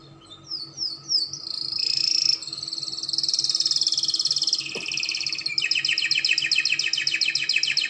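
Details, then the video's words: Spanish Timbrado canary singing, used to teach young canaries: several quick rising slurred whistles, a long shimmering high trill, then a rapid repeated pulsed phrase repeated about three times per second. "CANARY SINGING - PANCINGAN SUARA KENARI SPAINS TIMBRADO UNTUK TERAPI KENARI ANDA BELAJAR SUARA INDAH"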